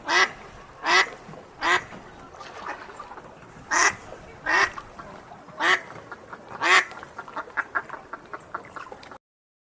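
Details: Duck quacks: several loud, rasping calls spaced irregularly, then a quicker run of shorter, softer quacks near the end before the sound cuts off.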